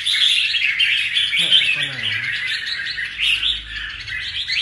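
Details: A caged red-whiskered bulbul, wild-caught and just past moulting, keeps up a fast run of warbled chirps while a person's brief voice cuts in near the middle.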